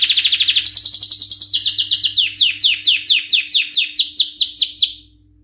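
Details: Canary singing a dense high trill, then clear repeated descending whistled sweeps that gradually spread apart before the song stops, leaving silence.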